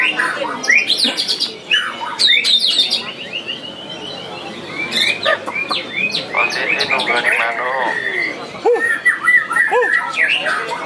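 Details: At the Piala Candi Prambanan 2 singing contest, a white-rumped shama gives a lively mix of sharp high notes, rapid trills and long slurred whistles, with other birds and faint voices behind.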